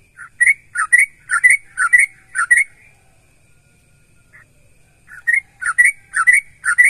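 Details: Sooty-headed bulbul singing so other bulbuls join in: a quick series of chirpy whistled notes, a silent gap of about two seconds, then another lively run of similar notes.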